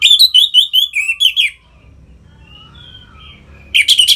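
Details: Orange-headed thrush, a captive bird's song used to stimulate other caged birds; a rapid run of sweet whistled and warbled notes, a quiet pause with faint soft whistles, then another loud burst.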